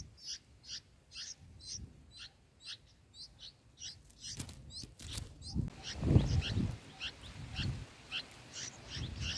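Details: Six-day-old bulbul chicks in the nest being fed give thin, high begging notes about twice a second, then a flurry of louder cheeps over rustling and low thumping from the nest.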